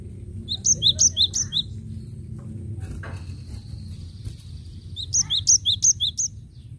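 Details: Cinereous tit singing persistently, recording meant for luring: two bursts of bright, high repeated two-note phrases, one at the start and another near the end, separated by a quiet gap with faint distant chirps.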